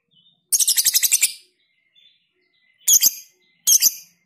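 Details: Lovebird giving ngekek song with close pauses, recorded for tutoring; a loud, rapid, shrill chatter of about ten pulses lasting nearly a second, followed by two shorter harsh screeching bursts.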